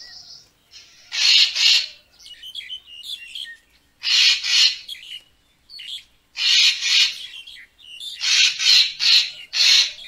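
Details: Racket-tailed treepie recorded as a photography lure: rough, scratchy double calls alternate with bubbling, chattering notes, ending in a run of four grating bursts.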